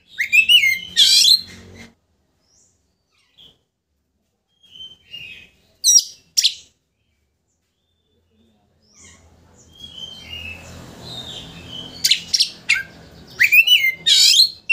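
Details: Energetic Oriental magpie-robin song used to provoke a rival into fanning its tail: loud bursts of sweeping whistles and scratchy notes, broken by long silent pauses, then a dense run of sharp phrases near the end over faint background hum.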